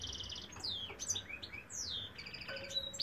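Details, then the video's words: Male European goldfinch singing: quick bright twittering with descending whistled slurs and buzzy trills, ending in a brief steady tone, over faint low background hum. "goldfinch cock singing"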